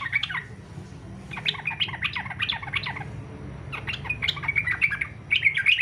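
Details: Yellow-vented bulbul giving fighter-style song intended to trigger singing in other bulbuls: repeated chattering bursts of bubbly notes, ending in a brighter, more continuous warble, over steady low hum.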